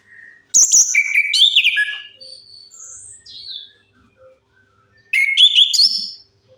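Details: Lure song of the orange-headed thrush, meant to prompt silent birds into song: two loud, energetic bursts of quick varied whistles and rasping notes, separated by softer thin whistled phrases.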